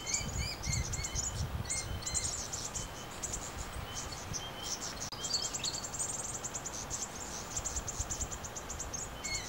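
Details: Brown-headed honeyeaters, a family group in the You Yangs west of Melbourne that plucks koala hair for nests, give rapid, high, thin chips and short twittering runs, several birds overlapping, over a low rumble of wind.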